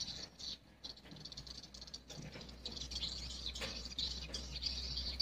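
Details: Swiftlets calling in the daytime inside a swiftlet house: dense, overlapping high chirps and twitters, with a low steady hum underneath.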